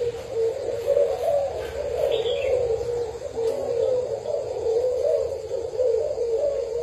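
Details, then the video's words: Spotted dove kept as a Thai decoy bird, recorded 9 July 2018. Soft, low coos come in short wavering phrases, repeated steadily throughout over a faint background hiss. "Cu gáy mồi thailand"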